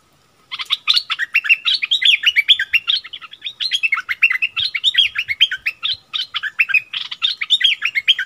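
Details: Bulbul exchanging song with a wild bird in a fierce contest, 27 March 2021. After a brief silence comes a sustained stream of bright, bubbling chirps and whistled notes without a break.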